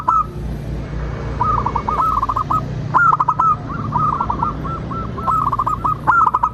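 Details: Local zebra dove singing a lure song meant to prompt other birds to sing and answer: phrases of rapid, bubbly hooked coos repeated about every one to two seconds, with occasional sharp clicks and low steady hum.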